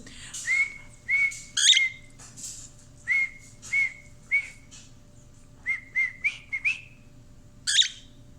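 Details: A male pet cockatiel, who often sings songs, whistles a series of clear, level notes around a steady pitch, about one every half-second to second, broken by a few harsher chirps, while being coaxed to sing; a person speaks briefly.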